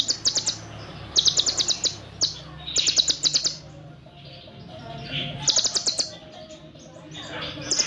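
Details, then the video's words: Olive-backed sunbird song, full shooting style with tight, long cililin fill-ins: bursts of very high, rapid sharp chirps repeated in quick runs, separated by short pauses, with faint lower twittering behind. "MASTERAN EFEKTIF BURUNG KONIN FULL NEMBAK ISIAN CILILIN RAPAT DAN PANJANG"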